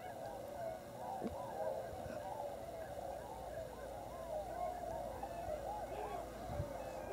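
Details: Wintering Tundra Swan flock at Lower Klamath National Wildlife Refuge, Oregon/California border; continuous crowd of whooping, slightly nasal honks layered over one another, with a few faint low thumps.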